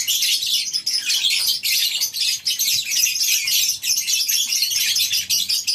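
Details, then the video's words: A morning scene in a colony lovebird enclosure on a breeding farm: constant high, grating chatter from many lovebirds, dense and unbroken throughout. "Suara Love bird"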